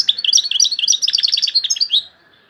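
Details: European goldfinch from Algeria delivering a rapid, high tinkling song of bouncing twittered notes for two seconds, then falling quiet.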